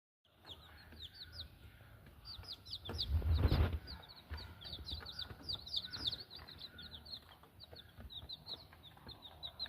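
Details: One-week-old native village chicken chicks: a continuous chorus of thin, high peeps from several chicks, heard over low rumbling background noise with a louder thump about three seconds in.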